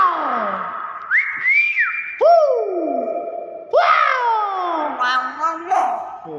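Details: Common hill myna voicing its natural repertoire indoors: loud clear whistles that glide up and hold, then sliding speech-like sounds with rich layered tones sweeping downward, a run of rapid changeable phrases.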